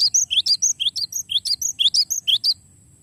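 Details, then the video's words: Cinereous tit giving a long rolling song used for training songbirds: high, quick whistled notes, rising slurs alternating with sharp chips, repeated as a steady rapid phrase about twice per second for two and a half seconds. "suara glatik batu ngeroll panjang"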